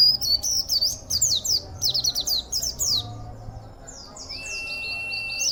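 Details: Local caged Oriental white-eye with an unusual, powerful song, perhaps learned from other white-eyes kept in a colony: rapid bursts of high, twisting chirps, slurred downward, packed in quick phrases for three seconds, then thinner whistled notes.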